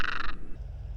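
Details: Near a small pond by a river in Małopolska, Poland, a Northern Lapwing gives one short, harsh, wheezy alarm note, probably disturbed by the observer's presence, over a low rumble of wind or distant noise.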